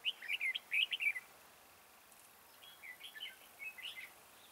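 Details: Red-whiskered bulbul singing as a decoy at a trap. A quick run of loud, bubbly, warbled notes is followed by a softer, chattering continuation of the phrase.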